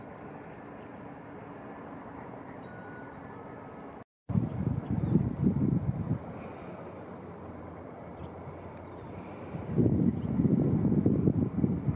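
Only wind buffeting and low outdoor rumble are heard, with gusts surging twice and no clear animal call.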